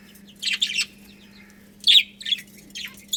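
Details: Budgerigars from a colony give short, sharp, high chirps in small clusters, a pair near the start, a louder squeaky one near two seconds and more after it, over a low steady hum.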